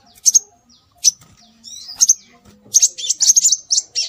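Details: Scarlet minivet calls played as a lure to draw birds in. High, thin chirps come in short pairs at first, then become a quicker run of sharp, whistled notes near the end. A faint low hum sits underneath.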